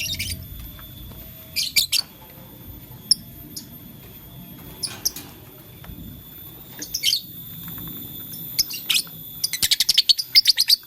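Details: Shrill, high chirps from a blue, lutino and green lovebird toying with a flower, arriving in short bursts separated by quiet pauses and ending in a quick run of rapid squeaky notes.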